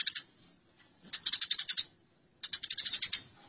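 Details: Eurasian tree sparrows in a fight: three bursts of fast, shrill chirping, each lasting under a second, with quiet spells between them.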